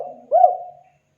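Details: Spotted dove calling to other birds to draw a response: a single soft, low coo that swells briefly and then fades, with a faint earlier coo at the start.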